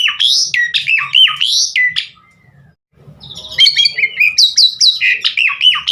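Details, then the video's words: Javan pied starling song used as a lure to get other starlings singing: loud, varied whistled and squawky phrases, sweeping notes and chattery bursts, a brief pause midway, then rapid repeated shrill phrases. "Masteran Jalak Suren GACOR Bongkar Isian Buat Pancingan Burung Jalak Agar Cepat Gacor full Isian"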